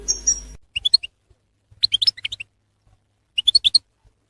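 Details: Goldfinch batbata calls played to lure goldfinches for trapping: a brief noisy start, then three clusters of quick, high, tinkling twitters, each under half a second, with silence between.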